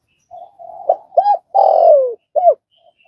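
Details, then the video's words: Spotted dove cooing, used to train newly caught doves to start calling: soft low lead-in notes, two short hooked coos, then a long drawn-out coo falling in pitch, closed by one short note. "Tiếng cu gáy | tập bổi nhanh nổi"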